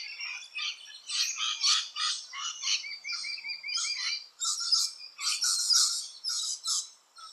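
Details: At nesting holes in Australia, rainbow lorikeets give harsh rasping screeches in steady bursts, with a brief run of quick, lower trilled notes in the middle.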